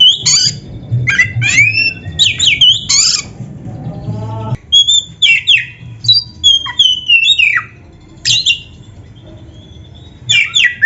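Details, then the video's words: Oriental magpie-robin (kacer) singing a lively training song full of varied phrases: bursts of sharp whistles, upslurred and downslurred notes and scratchy trills, with short pauses between bursts over a faint low hum. "SUARA MASTERAN BURUNG KACER GACOR ‼️ DENGAN FULL ISIAN MEWAH"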